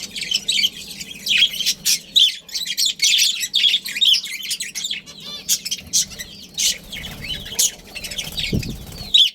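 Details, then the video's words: Budgerigars, a breeding pair with their family, give dense bursts of high chirps and short warbling notes, overlapping and repeated almost continuously, with a low hum underneath and a brief low thump near the end. "Budgies Breeding Pair"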